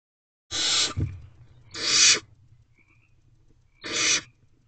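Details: Barn owl owlets lined up together in a nest box at 1:31 am on 5/7/23, giving three harsh, broadband hissing screeches about half a second each, spaced roughly one to two seconds apart, with a low background hum.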